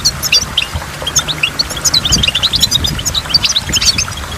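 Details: Waterfall setting with water drops: a goldfinch's quick high chirps and twittered phrases come in steady bursts throughout, over a soft low background noise.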